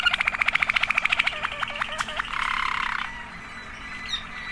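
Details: Waterslager canary song: a fast run of evenly repeated clicking notes, then a few hooked bell-like notes, then a liquid bubbling roll before fading into background hiss.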